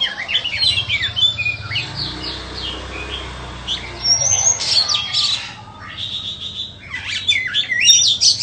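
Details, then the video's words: Captive white-rumped shama delivering bursts of varied whistles, sharp chips and fast slurred phrases separated by short gaps, while a low rumbling background noise swells in the middle and then fades. "Chích choè than bông"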